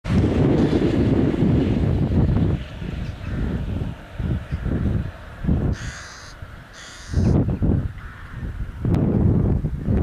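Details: Rook, Corvus frugilegus, at a bird feeding spot in Busko-Zdrój, Poland: harsh low cawing in loud bursts at the start and end, with quieter rough calls between and a brief higher noise burst in the middle.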